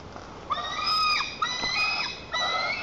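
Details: Nest-bound white-tailed eaglet in Lower Kama National Park, Tatarstan, July 2023, flapping and jumping in a temper against its mother. One long level scream followed by two shorter ones, all bright and ringing.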